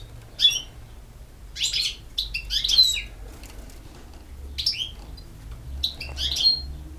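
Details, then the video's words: Campero European goldfinch singing in short separated bursts of high, tinkling, liquid twitters, each phrase about half a second long with pauses between, over a faint low background hum. "El Jilguero BiH 25"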